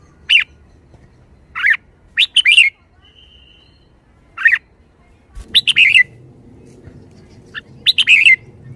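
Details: Red-whiskered bulbul kept in a cage, lively, with quick chirpy phrases of rising and falling notes in short bursts separated by pauses, a brief thin whistle between them.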